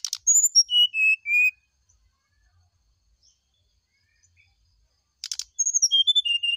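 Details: Morning song of a brown-chested jungle flycatcher, played to provoke an answer: a falling series of pure whistles, a quiet pause of several seconds, then the descending phrase begins again.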